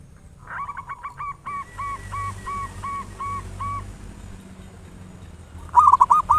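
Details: Local zebra dove used as a lure to stimulate singing. A softer, more distant series of evenly spaced coos runs for several seconds, then a loud close burst of rapid hooked notes ends the recording.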